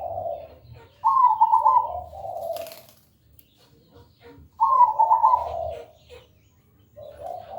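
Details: Zebra dove (perkutut) song used as a lure to get another perkutut singing loud, clear and melodious: two warbled, rippling coo phrases, each sliding into lower, softer cooing notes, with a faint low rumble beneath.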